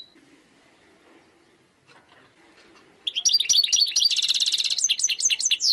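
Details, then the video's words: Wild European goldfinch song: three seconds of near silence, then a sudden outburst of quick tinkling, twittered notes with a fast buzzy rattle and sliding high whistles running to the end. "chant chardonneret sauvage khalwi حسون goldfinch jilguero تغريد مقنين خلوي"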